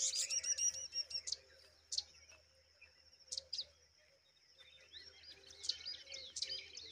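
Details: A mother rock chat, guarding her young, gives bursts of high, sharp chipping notes with a thin sustained whistle between them, busy at first, then pausing and resuming.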